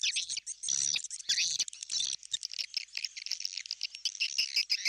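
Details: Swiftlet call recording made to lure swiftlets into a swiftlet house: dense, high, rapid chirps and buzzy chatters, overlapping almost continuously with short pauses between bursts.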